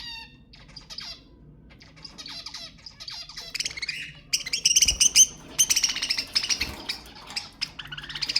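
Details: Budgerigars calling to encourage breeding: soft chirps build into rapid, loud, buzzy chattering bursts about 150 a minute with sliding whistled notes.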